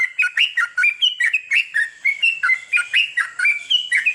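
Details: Sooty-headed bulbul at night, played as training for long chattering song; rapid bubbling, chattering phrases of fluty notes jumping up and down, repeated without pause.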